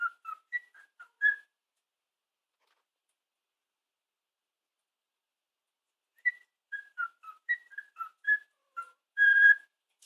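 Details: Pet male cockatiel taught the Chocobo theme from Final Fantasy and the Batman theme, cued by his owner to switch between them: clear, pure whistled snatches of the learned tunes with a long pause in between.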